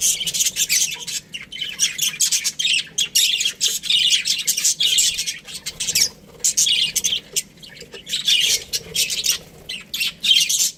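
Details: Australian budgerigars, a breeding pair, chattering in rapid bursts of high chirps and warbles, flowing almost continuously with a few short pauses.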